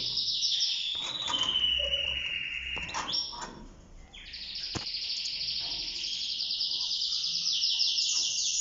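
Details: Caged Mosaic canary of a yellow-orange breeding pair whose female has laid four eggs; fast high trilled song with short rattles and a sudden break, then a long buzzy rolling trill, with faint room noise.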